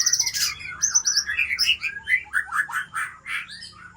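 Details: Aceh-type white-rumped shama, an original breeding parent bird from Lamteuba, delivering a loud dense song of fast varied chattering phrases, bright whistles and a few harsh squawky notes in close succession.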